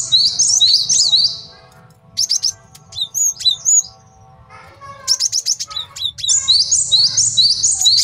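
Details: Cinereous tit, male, sung as a training and trapping master: a buzzy trill, then spaced sharp downslurred notes, a pause, and a fresh run of chips ending in another rasping high trill.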